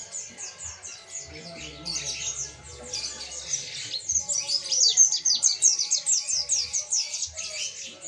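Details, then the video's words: Mountain white-eye in full "ngalas" song with "tembakan", recorded for training other birds: spaced high chirps open, then swell into a dense, rapid warbled twitter that peaks midway, with a faint low drone underneath. "MASTERAN DAN PANCINGAN PLECI MONTANUS GACOR NGALAS NGOTOT NGALAS FULL TEMBAKAN"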